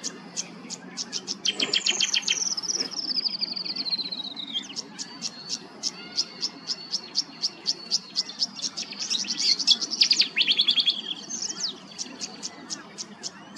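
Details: Tawny grassbird calling in Queensland, Australia: a long run of sharp high ticks, broken by a rapid reeling trill that slides steadily downward for about three seconds, later a brief buzzy burst; faint low hum behind.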